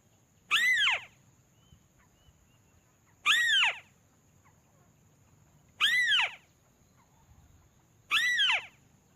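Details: Tikusan (crake) lure call compiled from several sources and meant for bird luring, not made with dedicated recording gear: four loud arched, harmonic squealing calls spaced about 2.6 seconds apart over a steady high whine and low background hum.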